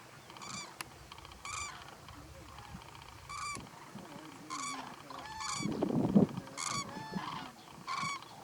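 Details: Common Cranes, also called Eurasian Cranes, filmed close up at the Little Rann of Kutch, Gujarat, India, in January 2020, give loud, bugling trumpeted calls at irregular intervals over low background rumble.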